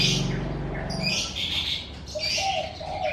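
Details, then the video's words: In front of a house in the morning, a low rumbling noise fades in the first second, then sharp high chirps and twitters follow, joined near the end by soft low cooing notes. "Suara Kicau Burung"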